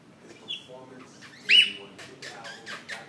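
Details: A pet rainbow lorikeet gives a loud welcome-home greeting: a harsh screech followed by shorter chattering squawks over a few seconds.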